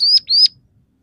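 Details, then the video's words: Scaly-breasted munia (emprit peking), a lively singer whose song has three variations and fill-ins copied from house sparrow, red siskin and canary: two thin, rising, whistled notes, each about a quarter second long, then quiet. "suara burung emprit peking gacor dengan tiga variasi lagu"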